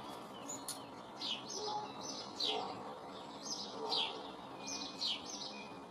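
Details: Eurasian blue tits, a pair in a garden in early spring checking out a nest box on the side of a shed: thin, high, quickly falling notes repeated roughly every second, with softer lower chirps and a faint background hiss.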